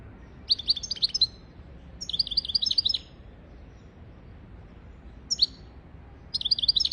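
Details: European goldfinch song meant as a tutor for goldfinches and canaries: several tinkling, twittering bursts roughly every one to four seconds, with quiet gaps between them.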